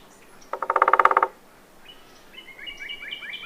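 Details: Red-bellied woodpecker giving one loud rolling call: about a dozen rapid, even pulses over under a second. Faint thin chirps from other birds follow after a pause.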